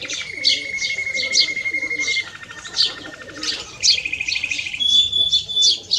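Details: Canary and goldfinch hybrid singing: a fast, varied run of bright chirps and trills with long steady whistled notes, one held low then dropping, another rising high near the end, notes repeated in quick bursts.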